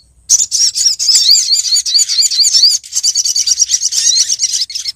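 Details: Female olive-backed sunbird calling for a male, a lure sound: fast, high-pitched twittering full of sweeping chirps, then a quicker chain of evenly spaced sharp notes.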